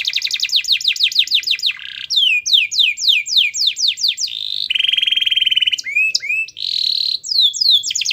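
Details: Vigorous canary song meant to provoke a silent canary into singing. A rapid trill gives way to upswept whistles, a rattling buzzy roll, chipping notes and a return to quick descending trills.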